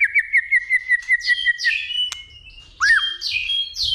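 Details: Fighting song of a white-rumped shama stirred up by a female, with continuous clicks and tail-beating. About ten quick repeated whistled notes in a row, a sharp click, then a rising whistle and buzzy, harsh chattering phrases.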